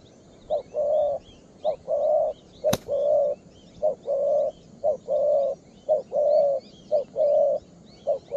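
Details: Young spotted dove, 'two-strand' pearl-neck type, calling eagerly at its perch. It gives a loud, steady run of hollow coos, short pips alternating with longer notes nearly every half second. Small birds chirp faintly high above, and there is one sharp tap.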